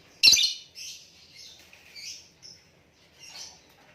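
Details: A white-rumped shama opens with a loud, sharp high note, then gives a few softer whistled phrases and a brief clear tone, with quiet gaps between them.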